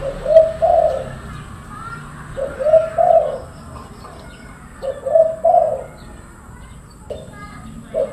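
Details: Loud, persistent calling from a silver-coloured spotted dove: repeated phrases of soft, slightly husky cooing, each about a second long, recurring every two to three seconds over a low background hum.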